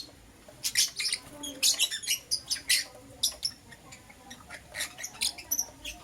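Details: Lovebirds, a green Personata and a yellow pastel pied, chirping in the morning: a busy run of sharp, high chirps and squeaks repeated several times a second, rising and falling in bursts.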